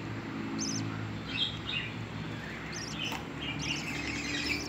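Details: One-day-old budgerigar chicks give thin, high peeping calls while being fed by their parents, over a low background hum.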